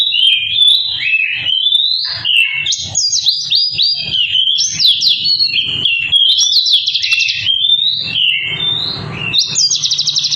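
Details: White-eye in energetic full song: a continuous, lively warble of high twittering and sliding whistled phrases, with quick trills mixed in, running unbroken for ten seconds.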